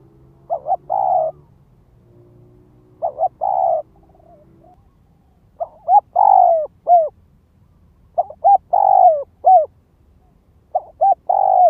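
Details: Spotted dove kept as a ground lure, giving the gáy gọi, thúc and kích bổi calls: repeated phrases of short double coos and long falling coos, about every two to three seconds, over a low steady hum early on.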